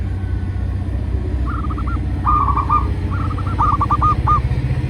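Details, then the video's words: Zebra dove song used as a lure for training and trapping doves: several short runs of rapid, slightly uneven cooing notes, the later ones louder, against a heavy low-pitched rumble. "Perkutut lokal gacor pancingan burung perkutut GACOR dan BUNYI"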